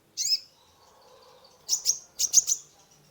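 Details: High, buzzy sunbird note followed by two quick bursts of sharp chips, from an energetic kolibri ninja used as a lure for a stressed caged bird; faint low background murmur.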